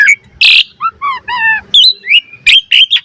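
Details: Asian pied starling, kept as a cage bird, in a varied, lively training song: harsh rasping bursts mixed with clear rising and falling whistles and sharp chirps in quick succession.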